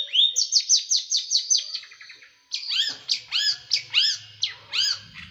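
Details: Small bird with a sharp, dense, rough tutoring song: a rapid run of high clipped notes, then a brief gap and a series of loud arched, down-slurred whistles repeated about twice a second.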